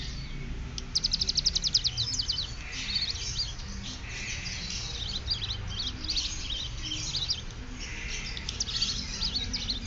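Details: Prinia working on the bren cililin, opening with a quick burst of high pulsed ticks, then scattered thin chirps over a steady low hum.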